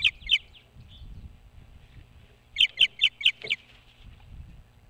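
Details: Osprey at a nest on a boat house roof near Hog Island, Maine; a pair of sharp whistled chirps, then a quick run of five loud high chirps about a quarter second apart, with faint low rumble beneath.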